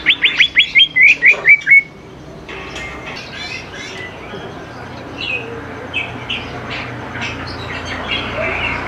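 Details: Greater green leafbird song, meant to prompt young birds to sing along, opening with a fast loud series of about eight clipped whistles, then softer scattered chirps and warbles fading into background hiss.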